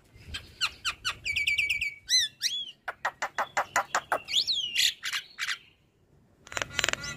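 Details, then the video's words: Black-winged starling in full song after being stressed and quiet: a fast series of sharp clicking notes, short stacked whistles, looping upswept whistles, then a rhythmic run of rapid ticks and a closing harsh rasp. "Jalak Kebo Stres Malas Bunyi Langsung Bunyi Dengar Suara Khas Jalak Kebo Gacor"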